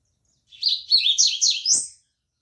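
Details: Rusty-collared seedeater singing a quick phrase of about one and a half seconds: bright, high whistled and slurred notes that rise and fall, ending on a higher rising note, in a quiet room.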